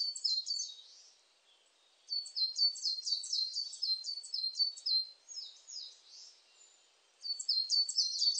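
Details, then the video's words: Singing coal tit, 2020: quick series of piercing, high, down-slurred paired notes in three bouts with quiet gaps between them, against a silent background. "진박새, 여러번 듣기, 곤충소리, 새소리"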